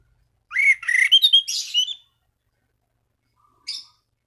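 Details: Orange-banded thrush song used to challenge rivals and lure other thrushes into singing: one dense scratchy phrase of mixed whistles and harsh notes lasting under two seconds, then a single short note after silence.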